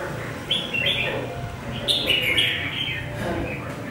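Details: Caged red-whiskered bulbul, caught wild and kept three months, large-built and eager to sing, gives lively clipped whistled notes in two quick bursts, sharp and slightly warbling, over low room noise.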